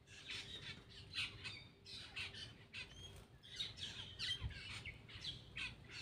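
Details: A black-winged myna eating lets out rapid harsh squawks and rasping chatter, with a couple of thin whistled squeaks, over a constant low hum.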